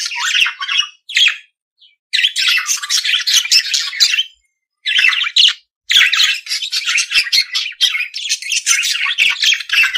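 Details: Budgerigar song as long runs of dense, buzzy, chattering warble, broken by a few short silences.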